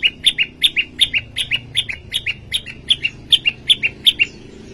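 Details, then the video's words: Actively singing prinia giving an even chain of bright, high two-note chirps, about three per second, steady throughout with quiet background. "prenjak lumut gacor"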